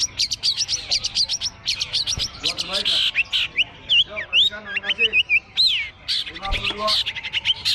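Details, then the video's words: Long-tailed shrike at a bird singing contest, perched on a contest hanging pole. The song is a dense, fast chatter of sharp high whistles and quick rising and falling slurs, with many bird voices overlapping and faint human voices beneath. "lomba burung cendet diatas gantangan"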